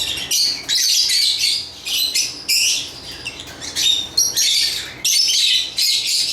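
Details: Lovebirds chirping: bursts of harsh, high, buzzy chatter about half a second long, repeated in quick succession with short gaps, several overlapping voices.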